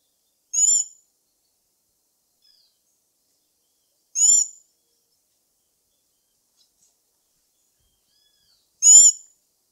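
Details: Black-backed tanager (saíra-sapucaia), a fruit-eating tanager listed as vulnerable, giving short, sharp, high-pitched harmonic notes spaced about four seconds apart, three in all, against an otherwise silent background.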